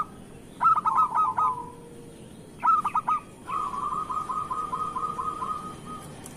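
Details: Song of a vocal local Indonesian zebra dove, used as a lure to start other doves singing: two short bursts of clipped cooing notes, then a long rolling trill lasting about three seconds, over constant background hiss.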